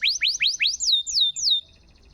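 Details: Canary song phrase from a recording meant to prompt silent canaries to sing; four quick rising whistled sweeps followed by three falling slurred notes, then quiet.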